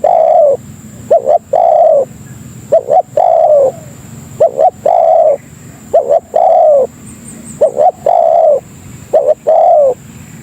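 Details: A spotted dove, known locally as tekukur, giving a call used to lure other doves and to tutor birds: a clipped two-note start and then a prolonged, slightly falling coo, repeated about six times.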